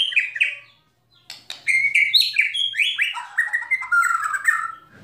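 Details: White-rumped shama (murai batu) song meant to stir other birds, kretekan and tembakan style: short notes, a pause, then a dense chattering cascade of slurred, descending notes.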